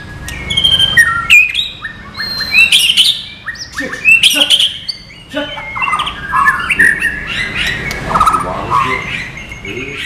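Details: White-rumped shama, caged, used as song material in the non-bubbling style: loud varied song of whistles, harsh squawky notes and rapid slurs, phrases changing every second or so, with sharp clicks between.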